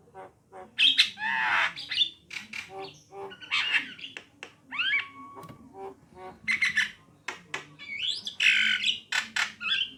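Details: Song of a female and male Javan myna: harsh grating bursts mixed with clear falling and rising whistles and clicking notes, loud and irregular over ten seconds.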